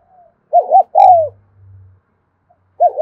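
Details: Afternoon recording of a spotted dove in 'thúc gù' cooing: two quick arched notes, then a longer falling coo, a faint low hum behind, and a new phrase starting at the end.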